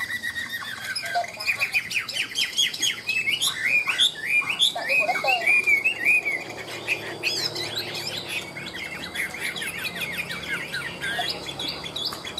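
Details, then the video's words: Ngũ trường song from a caged Chinese hwamei, a long flowing sequence of fast, varied, sweeping whistles and trills, loudest early, then continuing in softer rapid phrases. "Họa mi ngũ trường, hót cao cầu"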